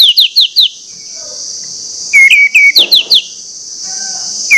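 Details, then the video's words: Orange-headed thrush singing loudly and insistently, meant to stir other birds into song: bursts of short, sharp, rising whistled notes, four or five in quick runs, over a steady high hiss. "pancingan anis merah plong ngotot membangkitkan gairah anis merah lain untuk bunyi"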